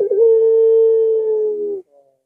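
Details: Puter pelung dove calling late at night: a quick rough start slides into a single long, flat, pure-sounding coo that holds for well over a second and dips slightly before stopping.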